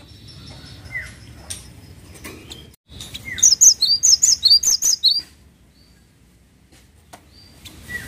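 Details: A cinereous tit, locally gelatik watu, singing hard: after a soft downslurred note, a rapid string of about a dozen bright whistled notes swapping between high and slightly lower pitches, then quiet with a few faint calls.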